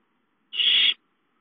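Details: Owlet at home calling for food, filmed 5-9-13: a single harsh, hissing screech of about half a second, loud and broadband, with nothing else heard.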